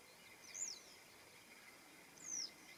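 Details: Western yellow wagtail in its morning routine, recorded 21 June 2026: two thin, high, slurred call notes about two seconds apart, the first arching, the second falling, over faint background hiss.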